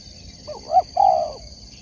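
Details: Competition spotted dove, known locally as tekukur, gives one soft cooing phrase: a quick rising-falling note, then a longer, fuller coo that fades, with faint insect hum behind.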